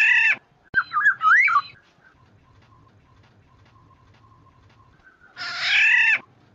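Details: Black-naped Oriole used as a lure so other orioles call back. A harsh, nasal, drawn-out note opens and closes the passage, framing a quick run of liquid rolling whistles. A faint steady background tone is present.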